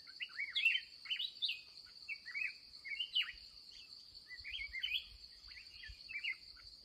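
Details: Wild red-whiskered bulbul, fired up, encountered at day's end on a trapping outing: lively chirped phrases rising and dipping, repeated roughly every two seconds, backed by a constant shrill insect whine.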